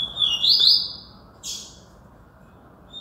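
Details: Papa-capim from Alagoas, Brazil, giving a short high song phrase of rapid buzzy twittering notes, followed by a separate brief harsh high burst and then quiet.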